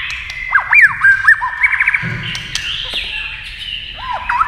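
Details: A white-rumped shama in a song duel with a TV, flicking its tail as it sings. The song mixes looping whistled phrases, quick trills and a brief low rumble partway through.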